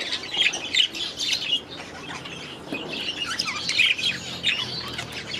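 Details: Aviary budgerigars chattering as a group: rapid high warbles and chirps in two busy bursts separated by a quieter stretch of softer twittering.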